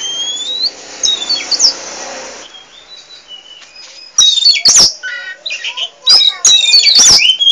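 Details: Oriental magpie-robin of the poci form in energetic, nonstop chattering song: a few clear whistles, then bursts of sharp clicks, rasps and high twittered notes in uneven, rapid phrases.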